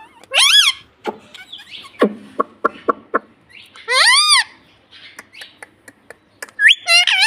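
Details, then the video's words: Pet parrot saying "mummy" and "papa": loud arched harmonic syllables at start and middle, separated by a quick series of sharp clicks and ticks, with a final rising call. "parrot talking mummy papa"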